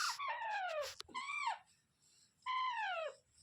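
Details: Rose-ringed parakeet giving drawn-out, whining calls that slide downward in pitch. Two come close together, then a short pause, then a third, each rich in harmonics. Faint low background hum.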